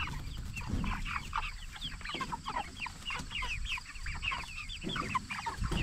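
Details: A flock of 44-day-old jumbo Cornish Cross broilers, kept for meat, peeps almost without pause, clustered high chirps curving downward, with soft low background rumble.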